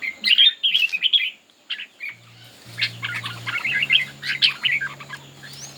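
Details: Red-whiskered bulbul singing in a contest and fanning out. Loud, rich warbled phrases open the clip, then a short lull and softer, rapid chattering notes over a steady low electrical hum.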